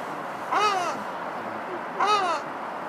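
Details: Ruddy shelduck at Winsford Flash giving two loud, nasal, honking calls about one and a half seconds apart, each slightly rising then falling, over a faint steady background hum.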